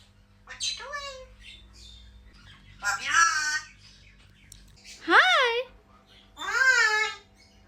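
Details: A red eclectus parrot speaks a "good morning" greeting as four short, harmonic-rich, voice-like phrases with rising and falling inflection, spaced about two seconds apart, over a low indoor hum.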